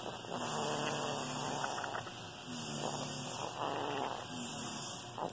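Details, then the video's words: A pet Senegal parrot imitates a demolition hammer, learned while workers tore up floors during a kitchen renovation, with rough, buzzy, rattling "Rrrrrrrr" bursts of low, droning tones in uneven pulses of a few seconds each. "the Senegal Parrot makes the sound of a demolition hammer"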